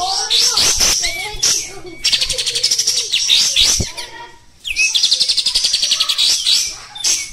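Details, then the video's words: A kept oriental white-eye in full song gives a rapid, high-pitched stream of twittering chatter and buzzy trills, with a few rising whistles and brief pauses between bursts. "Suara Burung Kapas Tembak Kasar Gacor"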